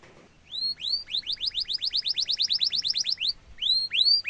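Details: Canary song for training young and adult canaries: after quiet, a few rising whistled sweeps lead into a steady trill of about twenty quick upward notes, then more slow rising sweeps.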